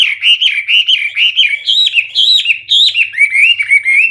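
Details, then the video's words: Loud, clear Hwamei (wambi) song in 'gacor full isian' style, a continuous warbling stream of whistled notes that rise and fall in quick succession, about two phrases per second, with no pause. "Hwamei/wambi gacor full isian suara keras jernih"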